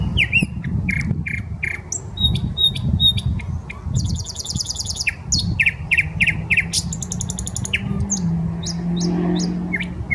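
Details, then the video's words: Common nightingale singing in a park on the Smolenka in Saint Petersburg: varied phrases of sharp whistles, rapid clicking trills and buzzy rattles, with a low rumble of city traffic underneath. "Песня соловья"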